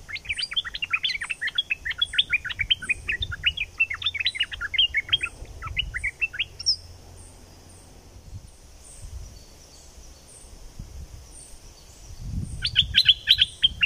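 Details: Bulbul from southern Thailand, a recording to excite birds for trapping: several seconds of dense, chattering, rising notes, a quieter stretch with faint high calls and low rumble, then the chatter resumes at the end.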